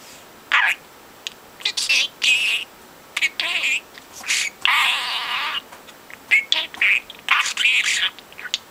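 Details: Talkative four-month-old budgerigar kept as a pet, mimicking speech. Breathy, hissing word-like bursts alternate with scratchy chirps in choppy phrases, including one longer raspy stretch near the middle.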